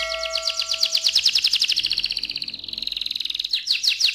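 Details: AF canary in a long rolling song: a rapid run of high, evenly repeated chirping notes slides slightly lower into a smooth, dense trill, then picks up into sharper repeated notes again; a faint low hum sits beneath.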